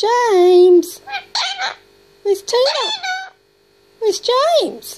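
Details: Pet grey parrot, 18 months old, talking indoors in a speech-like voice: a long level low note, then bursts of rising and falling syllables in quick succession, separated by short silences.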